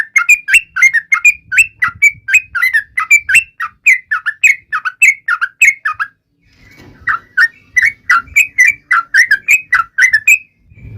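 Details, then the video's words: Yellow-vented bulbul singing in a way said to taunt rivals: rapid runs of short, bubbly, whistled notes that rise and fall, about three per second, with a brief pause near six seconds before the phrases resume. "trucukan gacor MENGEJEK LAWAN"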